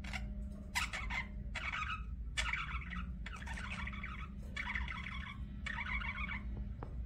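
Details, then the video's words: Budgerigar chirping: bursts of buzzy, scratchy chatter about a second long, repeated with short gaps, over a steady low hum. "BUDGIE CHIRPING SOUNDS"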